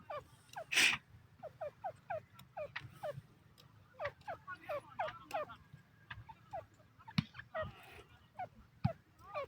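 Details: Partridges, called Iranian teetar and said to be from Iran, give quick, hoarse, chuckling notes, several per second, in uneven bursts over a steady low hum, with a short loud rasp near the start.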